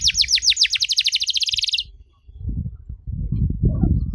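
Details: Canary 'dorr' roll for young canaries to copy: a fast rattling trill of rapid repeated notes lasting almost two seconds, followed by low rumbling background noise.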